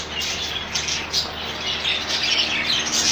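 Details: Continuous high chattering and squeaky calls from a colony of rainbow budgerigars, several birds overlapping without pause.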